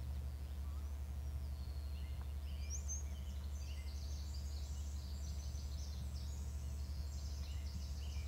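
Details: Eagle in the nest calling: a thin upward whistle, then a long run of quick, high, stuttering chatter notes in repeated bursts, set against a persistent low-pitched hum.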